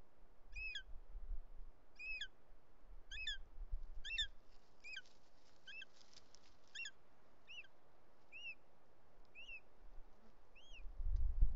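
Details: Bonelli's eagle at a nest in the Ports, Catalonia, July 2023 afternoon, as the male arrives with a snake and a female intruder shows up; a fast series of sharp ringing calls that slows and softens, ending in a loud rumble.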